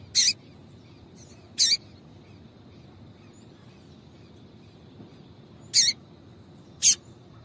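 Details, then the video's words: Female Double-collared Seedeater calling to excite a male bird: four isolated, sharp, high chirps at irregular gaps of one to four seconds, with light background hiss. "Piado de Fêmea de Coleiro para Esquentar Coleiro"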